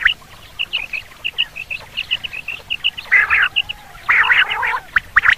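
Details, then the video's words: Common quail calls used for hunting: short, high, clipped notes repeated about once a second, then two loud rasping, chattering bursts in the second half. "Quail sound for hunting /Batir ki Awaz"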